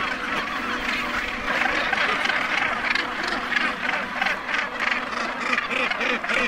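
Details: Northern gannets at the dense Bass Rock colony, the largest gannet colony with over 150,000 birds, make a constant overlapping din of harsh, grating barks and cackles, about three calls a second, with no pause.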